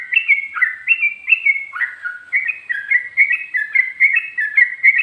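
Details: Sooty-headed bulbul singing in the rapid ropel style with ngikluk and garuda-style phrases: short whistled, bubbly notes around one to three kilohertz in quick choppy phrases. Some notes slide upward and others drop. Clean, with no other sounds.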